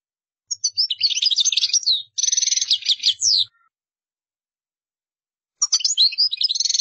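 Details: European goldfinch singing: two bursts of rapid, tinkling twittered phrases with fast trills and buzzy notes, pausing about two seconds before a third twittering run begins.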